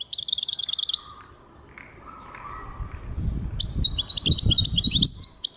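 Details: European goldfinch giving two bursts of rapid, high, liquid twittering separated by a quiet gap holding a soft lower warble and low rumbling background noise.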